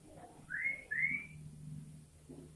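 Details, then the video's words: Sooty-headed bulbul giving a fast song with inserted greater green leafbird phrases: two clear upslurred whistles in quick succession, each rising then levelling, over a low steady hum. "Tembakan Burung kutilang isian Cucok ijo"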